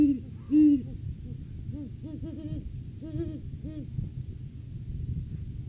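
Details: Great horned owl pair at a nest tree on a farm live cam, 9 January 2023, during courting season, the male bringing a rodent food gift to the female. Deep hoots open, followed by short, arched, repeated notes over a steady low rumble.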